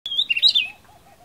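Oriental magpie-robin giving one brief, high, sweet phrase: a thin whistle sliding into a quick warbled flourish, then faint low notes in the background.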